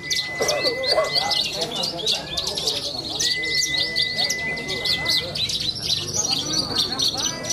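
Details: At a songbird contest in central Cilacap, a young bush lark delivers rapid high twittering with bursts of slurred, rising and falling notes. A long flat tone runs underneath in stretches, and people talk in the background.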